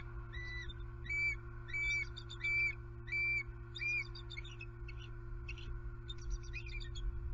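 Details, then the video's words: Wild American bald eagle pair at their Southwest Florida nest, calling on high alert after an owl struck the female and knocked her onto the nest. High whistled notes repeat in short bursts over a steady low electrical hum. "SWFL Eagles ~Owl Strikes HARRIET Again! ~ Knocks Her to Nest ~ She Wing Slaps ~ H&M on High Alert"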